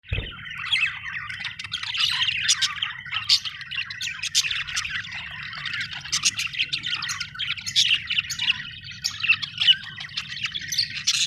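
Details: Budgerigars, described as Australian birds, chirp in a dense, continuous chatter of high warbling notes, squeaks and short buzzy trills overlapping without pause, with a faint low hum underneath.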